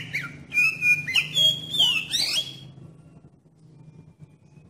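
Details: Oriental magpie-robin singing, used as a lure to trigger other magpie-robins into song; a fast run of sweet whistled notes and swooping slides lasting about two and a half seconds, then fading into faint hum.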